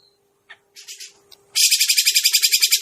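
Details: Grey-cheeked bulbul lure recording for bird trapping: a few quiet scattered notes, then a sudden loud, fast rattle of harsh, buzzy repeated notes to the end over a faint steady hum.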